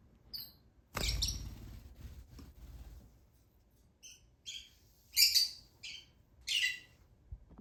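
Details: Lutino Fischer's lovebird baby during hand-feeding, giving scattered high, rasping chirp bursts after a loud thump of handling noise, growing stronger toward the end.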